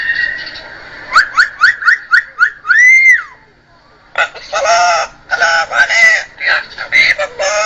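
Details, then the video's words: Parrot speaking Arabic and reciting Quran: a run of six quick rising whistled notes, then a long arched whistle, a brief pause, and a stream of raspy, voice-like syllables in uneven bursts. "Parrot Speeking Arabic and Tilawat Quran Pak"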